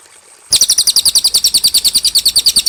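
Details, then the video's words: Cililin singing, a clean recording meant for teaching young birds: after half a second of quiet, a steady fast series of high, piercing doubled chirps repeats evenly, about seven notes per two seconds. "MASTERAN BURUNG CILILIN DIJAMIN JERNIH"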